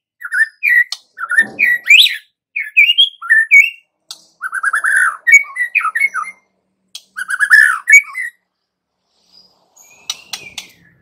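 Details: White-rumped shama song serving as a lure for young wild-caught shamas; a long series of loud, varied whistled phrases and rapid repeated note runs, tapering to faint scattered sounds near the end.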